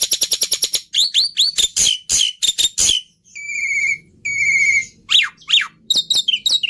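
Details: A rapid ticking rattle opens this Black-winged myna song, followed by harsh rising-falling notes, two long steady whistles and sharp descending whistled slurs.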